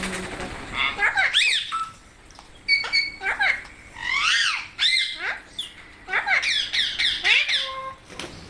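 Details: Parrots, described as Indian parrots and including babies, gathering to feed: harsh rising-and-falling screeches in bursts, with short gaps between calls.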